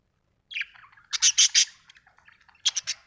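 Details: Budgerigar chirping: a few soft high notes, then a burst of three loud, scratchy, bright chirps, a pause with faint twitters, and three more sharp chirps near the end.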